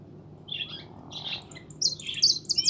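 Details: European goldfinch, a young pintón kept as a pet, starting with two soft separate chirps, then breaking into rapid, sharp, high-pitched twittering notes that grow louder toward the end.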